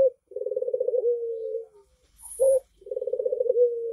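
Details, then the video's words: A red-eyed Barbary dove (puter mata merah) gives a low rolling coo that starts with a rapid purr, then draws out into a smooth held note. It comes twice, with a brief soft noise between. "SUARA BURUNG PUTER MATA MERAH"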